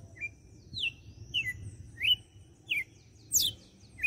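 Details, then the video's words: Açoite-style song of a red-cowled cardinal recorded in Fortaleza, Ceará: clear whistled phrases, short upslurs and downslurs, spaced about every half to one second, ending with a higher steep descending note. "Galo de campina - CANTO DE AÇOITE"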